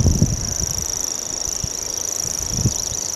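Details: Common grasshopper warbler reeling: a continuous, very high-pitched, insect-like mechanical trill held steady without a break, with low wind rumble and thumps underneath.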